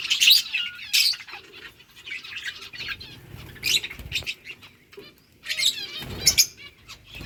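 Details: While eating boiled rice, lovebirds give loud, shrill chirp bursts at irregular intervals, separated by quieter twittering and pecking clicks.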